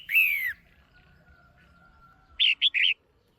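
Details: Caged female red-whiskered bulbul calling to stimulate a male: a loud, slurred note falling over half a second, a pause, then three quick bright chirps close together.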